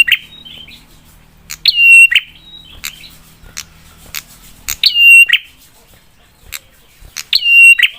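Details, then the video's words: Prinia 'spicy' lure song aimed at stirring other prinias to answer: four loud phrases of click, flat bright whistle and click, roughly every two and a half seconds, separated by softer high chirps. "Prenjak suara PEDAS bikin prenjak lain cepat nyaut dan emosi"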